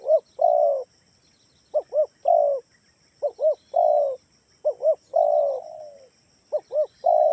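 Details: Kalimantan spotted dove lure call meant to set other doves calling back: paired short hollow coos followed by a longer level coo, phrases separated by brief pauses, clean recording without other sounds.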